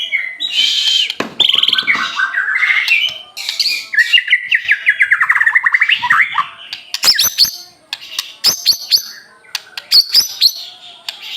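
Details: White-rumped shama of the Aceh type singing persistently: a varied, loud run of whistled phrases, then a fast series of descending slurred notes, ending in sharp, high clicking and ticking notes.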